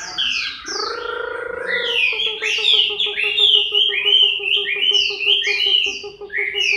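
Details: Chinese hwamei during its moult, recorded October 2015, sings loud, rapid, varied phrases of clear whistled notes that slide up and down, repeated without pause, over a steady low droning hum with a fast pulsing buzz beneath.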